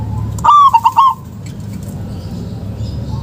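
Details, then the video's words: Zebra dove of local origin, a lure for doves that have stopped calling; one short burst of rapid, bubbling coos followed by quiet background hum. "Pancingan Perkutut LOKAL..Suara JOSS"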